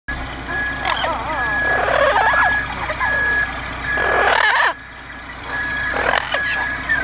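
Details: Double yellow-headed and yellow-naped Amazon parrots, bewildered by an odd noise, give squawky, wavering, talk-like calls in several bursts over a steady repeated electronic beeping tone.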